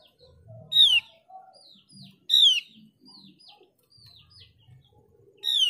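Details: Mees's white-eye song played as a lure for other white-eyes: strong downslurred whistles roughly every one and a half to three seconds, interspersed with quieter chirped notes and low rumbling.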